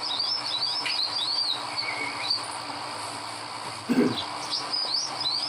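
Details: Olive-backed sunbird singing in the wild: quick, thin, high chirps and short rising-falling notes in clusters, over a steady insect hum, with one brief low thump near the end.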